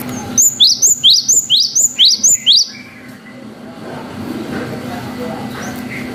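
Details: Long 'wucit' song of a cinereous tit (gelatik batu), played as a lure to provoke young birds. Ten rapid, evenly spaced high upswept whistles run for two seconds, then quiet room hum.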